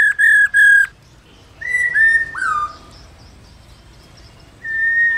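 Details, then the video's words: Caged female laughingthrush call meant to excite males: two strong flat whistles, then three falling slurred whistles after a pause, and a final long steady whistle after silence. "KHƯỚU MÁI RÒ LIÊN TỤC KÍCH TRỐNG CỰC NHẠY"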